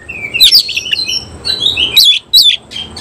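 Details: Oriental magpie-robin of semi-Cililin type singing during tail-spread display: a quick run of sweet high whistles and squeaky warbled notes, with two loud emphatic bursts toward the end.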